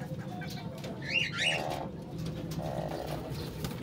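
Soft, low, humming pigeon coos come in two short bursts, with brief higher chirps from small birds over a steady rumble of background noise.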